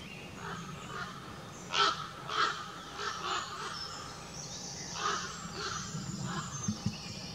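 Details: A group of four Common ravens wheels overhead above the forest floor by the Woodnewton path in Southwick Forest, giving hoarse, throaty croaks, about five spaced over several seconds, over a faint background hiss of wind or distant noise.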